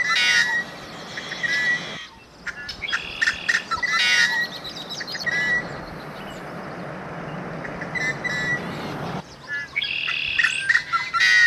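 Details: Say's phoebe (Sayornis saya) giving short, high "wit" call notes in bursts, with steady rushing background noise; Minnesota River Valley near the South Dakota border, June, warming morning, a second phoebe heard nearby.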